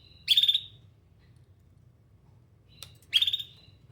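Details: Canary looking for other canaries, calling with two sharp, high chirps nearly three seconds apart and a brief click before the second, otherwise quiet.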